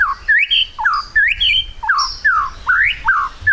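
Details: White-rumped shama lure song in trotol style to prompt quick singing: rough, squawky slurred notes rising and falling in pitch, delivered continuously at roughly one phrase per second.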